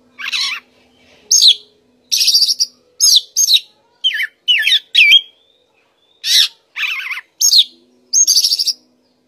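An Oriental magpie-robin sings a varied run of loud, clear whistled phrases and rich warbles, with short pauses between bursts and a faint low hum behind.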